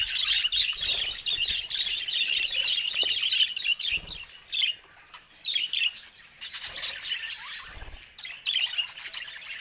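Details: Budgerigars kept as pets, talking and singing: busy, overlapping high chirps, squawks and rapid twittering in bursts, dipping briefly quieter around the middle before the lively warble resumes.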